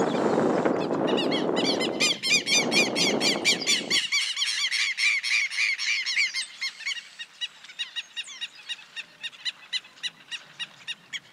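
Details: A pair of Southern lapwings attacking a person filming them give loud, strident alarm calls, repeated about twice a second. Heavy wind or handling noise covers the first few seconds.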